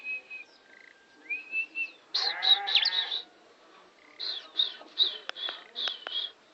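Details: Tame bar-winged prinia at Kawali, Ciamis, quieter here: a brief whistled trill, a harsh buzzy rasping burst, then a rapid series of high chirps and clicks.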